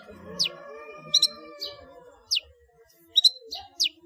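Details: Ngeplong full isian song of a long-tailed shrike, recorded as a master for training cage birds: isolated steep downward whistles and paired chirps every half second or so, with faint steady humming tones beneath.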